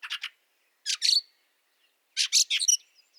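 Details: Fieldfare in snowy weather, Liepāja, Latvia, March 2023, giving short grating chack notes in quick clusters of two to five, separated by brief silences, clear and close with no other noise.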